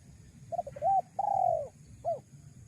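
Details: Single cooing phrase of a spotted dove, used to attract wild doves: short clipped notes, a hooked note, a long smooth coo, then one brief closing note, above faint low rumble.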